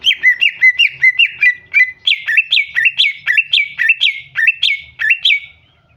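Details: Female greater green leafbird luring a male into song with a long unbroken string of bright chirps, roughly three per second, each swooping downward, the notes shifting slightly higher midway through.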